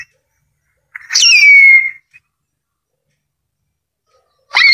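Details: Harpy eagle calling: one full piercing whistle that drops sharply, then levels into a held, thin tone for about a second. A second scream begins near the end. Silence between calls.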